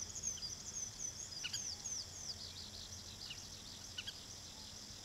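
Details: Foraging common waxbills in a Taiwanese wetland where the species is introduced, June: rapid, overlapping high squeaky chips and twitters, several birds at once, over faint low background hum.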